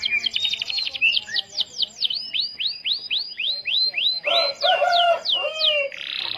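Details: Lure song of a Starblue canary to spur other canaries into song: a fast opening trill gives way to a steady series of clear descending whistled notes about three per second, ending with lower sweeping notes and a buzz.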